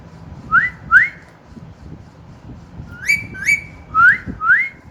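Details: Pet parrot, newly whistling, repeats paired rising whistles: two upswept notes, a pause, two rise-and-hold notes, then two more upswept whistles, over faint room hum.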